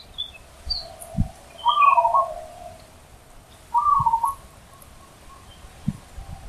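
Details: Loud wild zebra dove: two rolling, trilled coo phrases about two seconds apart over a steady low hum, with faint higher chirps from other birds and a few soft thumps.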